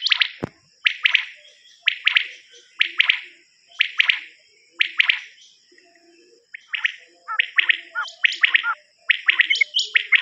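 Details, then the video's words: Common quail call from a quail cassette used for hunting: a bright, clipped multi-note burst repeated about once a second, later turning quicker and more broken, over a steady high-pitched whine. "نیوبٹیر کی کیسٹ اوریجنل وڈیو"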